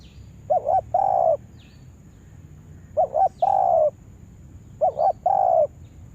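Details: Spotted dove lure bird gives three spaced phrases, each a short two-note coo then a longer sustained coo, with soft high chirps of other birds in the background.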